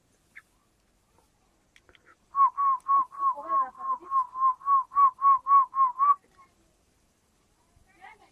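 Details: Young partridge chicks giving a fast, even series of about fourteen pure whistled peeps, each note short and slightly upslurred, repeated several times a second, with softer lower twitters mixed in and near silence around.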